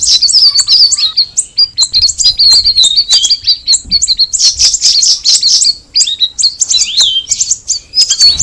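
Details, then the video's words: Rapid high twitters and sharp chirps from a cucak rawis (straw-headed bulbul), delivered in long run-on bursts, with a brief downward slurred note near the end. "the alluring sound of the cucak rawis bird"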